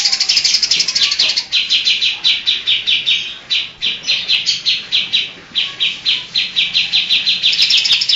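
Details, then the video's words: Greater green leafbird singing vigorously and copying other species' songs, including kapas tembak, tengkek and lovebird. Bright, high, evenly spaced chirps come in fast series with a brief pause near the middle. "Cucak ijo Gacor Nembak Isian Cililin Vs Kapas tembak"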